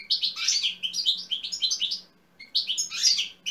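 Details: European goldfinch song used to stir up other goldfinches to sing, recorded in 2020: bright, tinkling twittered phrases of rapid buzzy and liquid notes in two bursts separated by a short pause, with a faint low hum beneath.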